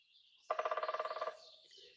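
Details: A Red-bellied Woodpecker drums on hollow wood: a quick, even, low roll of about eight or nine resonant taps lasting under a second, in an otherwise quiet room.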